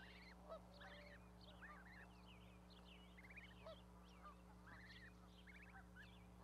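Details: Geese with newly hatched goslings on an osprey nest platform at Charlo, Montana, May 12, 2020, mother sitting on the brood; short hooked honks repeat irregularly through a steady low hum, with other birds chattering.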